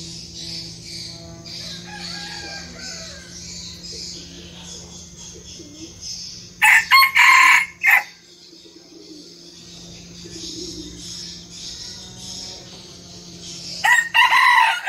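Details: Mini red junglefowl kept as a decoy bird in Vietnam, a diligent crower that crows at every dawn. Two loud, harsh, broken crows of several bursts each come a few seconds apart, over a steady high insect hiss and a low hum.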